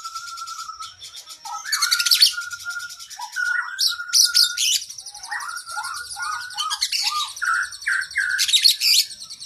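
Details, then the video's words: Kacer, the oriental magpie-robin, singing gacor with long isian as cage-bird training song: brief low whistles interrupted by loud high scratchy bursts, then a run of quick descending slurred notes and more bursts. "Masteran Burung kacer Gacor isian Panjang Paling Ampuh"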